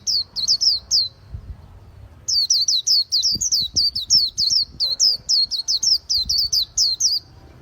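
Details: White-eye singing a long string of high, thin, twisting chirps in quick succession, pausing once, then resuming with many more rapid hooked notes over faint low background noise.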